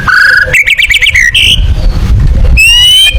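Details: White-rumped shama giving tembakan song for competition birds: a steady whistle, a quick series of bouncing notes, a short buzzy burst, then a pause with low noise before a high, level whistled phrase.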